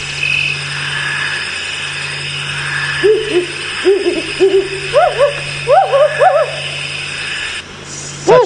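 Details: African wood owl at Djuma Game Reserve, Sabi Sand, Kruger, South Africa, played during a sunrise safari drive, November 2017: quick bursts of soft, rising-and-falling hoots, several in a run, over a steady low engine hum.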